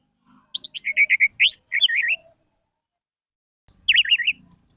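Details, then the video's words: Orange-headed thrush song meant to provoke quiet birds to sing: a fast varied phrase of chirps, slurred whistles and warbling, a pause of over a second, then a rapid wavering warble with high sharp notes. "Suara Pancingan Anis Merah Macet Langsung Seperti Burung Kenari Gacor"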